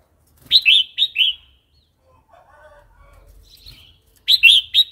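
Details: Red-whiskered bulbul singing wild-style phrases for tutoring chicks and new birds: a quick string of three bright fluty notes, a pause with faint low chatter, then another loud triple burst.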